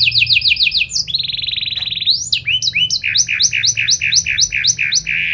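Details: A lively canary bursts into a varied song meant to get other canaries answering: quick descending chirp series, a long buzzy trill, then loud repeated high swooping notes in rapid succession over a soft low rumble.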